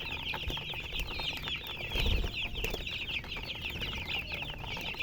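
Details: Many chicks chirping at once, their thin high cheeps forming a busy unbroken wash, with a short low bump in the background around the second second.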